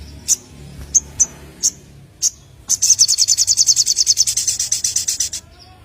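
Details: Young white-rumped shama singing a song filled with sogon phrases: several separate high sharp chirps, then a long fast trill of high notes lasting nearly three seconds, fading at the end.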